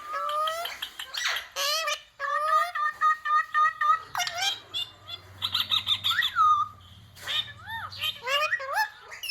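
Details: Pet ringneck parrot imitating human words such as "mummy" and "papa": a quick run of harmonic, voice-like squawks and chattering syllables in uneven bursts, with a rising-falling whistle near the end and a faint low hum underneath.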